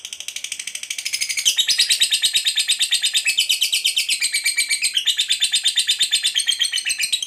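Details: Long, unbroken lovebird 'ngekek' chatter meant to lure other lovebirds to call. Rapid shrill pulses keep up a steady beat for over seven seconds, growing louder after the first second.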